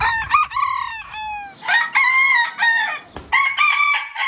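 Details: Roosters crowing in a compilation of heritage chicken breeds: several harmonic crows with rising starts and long level middles, one following another with short gaps.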